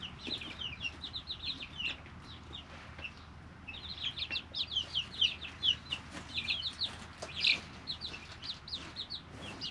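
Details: Group of three-week-old chicks living in a brooder, giving bursts of high, short peeping notes in clusters, pauses of quieter chirping between, with faint rustling and tapping.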